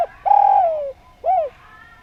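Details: Spotted dove, Javanese type, singing vigorously in a harmonious style: a long, low coo that sinks slowly in pitch, then a brief arched coo rising and falling, with a faint hum in the background.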